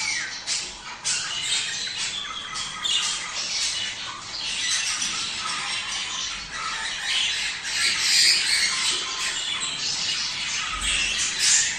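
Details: Budgerigar mating-stimulation sound: a long, dense chatter of quick scratchy squawks and chirps, irregular but almost continuous, slightly louder after eight seconds.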